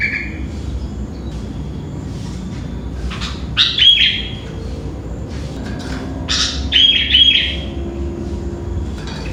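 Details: Sooty-headed bulbul singing early in the morning, about five o'clock: two clusters of quick bright chirps and short whistled notes, separated by a few quieter seconds, over faint steady background noise.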